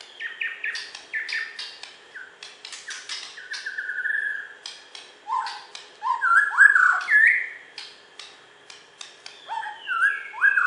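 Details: West Kalimantan champion Borneo white-rumped shama in a contest recording: rapid dry clicks and ticks mixed with level whistles and sliding, fluty notes, ending in loud, ringing whistled phrases.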